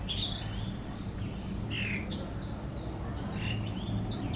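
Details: Common tailorbird in a backyard giving sharp, high chirps in short, irregular bursts over a steady low background rumble.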